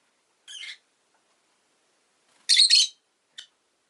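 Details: Rosy-faced lovebird at home, giving a rasping chirp, a pause, then a louder double screech and a final short tick.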